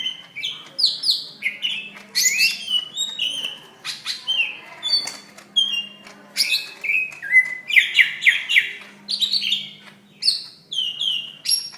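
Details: Greater green leafbird fighting call from May 2016, intended to train other birds: lively varied song of clear slurred whistles, buzzy trills and sharp squawks in bursts roughly every half second.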